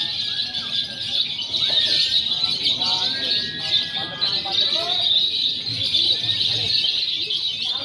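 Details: Lovebird contest simulation combining konslet, fighter and paud song styles, meant for training before a real contest; relentless high-pitched chattering with bursts of rapid, rising and falling chirps and short whistled notes.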